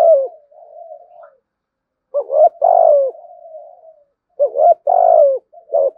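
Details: Spotted dove cooing loudly to lure other doves; two strong phrases of rising-then-falling hoarse notes, each followed by a soft drawn-out trailing murmur, with brief silences between.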